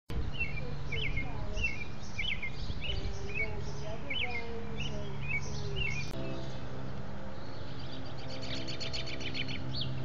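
An American robin sings short, clear caroling phrases, about two per second, over a steady low rumble; another bird adds a buzzy, rapid trill near the end.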